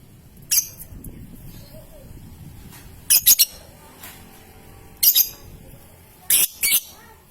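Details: Young lovebird giving scattered short, harsh high squeaks and double chirps, separated by pauses of a second or more, over a quiet background.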